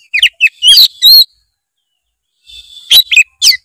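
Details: Oriental magpie-robin singing, full of mimicked phrases, used as a lure to make a lazy bird sing: bright whistled and chirpy high notes in two bursts separated by a second of silence.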